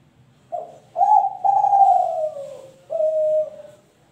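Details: Three-month-old spotted dove from a champion line, Kelantan type, cooing a phrase of a brief opening note, two longer sustained coos sliding gently lower, and a final shorter level coo.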